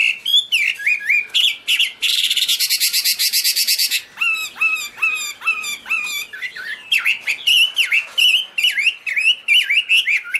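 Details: A Chinese hwamei waving its wings and tail sings a loud, varied song: clear falling whistles, a fast rattling trill, then runs of repeated downslurred notes, with nothing else in the background.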